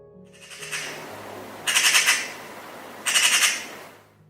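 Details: Eurasian magpie, UK, one of its most common calls: two harsh, rattling chatter bursts about a second and a half apart, each a fast run of dry, scratchy notes over a faint low hum.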